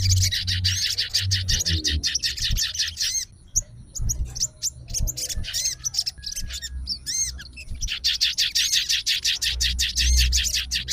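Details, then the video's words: Sooty-headed bulbul fighter bird in a cage, reacting to recorded bulbul song and calling out an opponent. A long rapid chatter gives way to sparse ringing arched whistles, then the fast chattering returns strongly. "SOGON FIGHTER LANGSUNG RESPON DENGAR SUARA SOGON GACOR"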